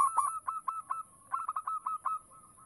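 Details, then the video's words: Zebra dove of a local strain in full voice, song meant to lure other doves: quick rolling series of mellow coos, two bursts of stuttering notes with a slight pause between, steady faint hiss behind. "Perkutut lokal gacor - RAJA PANCINGAN"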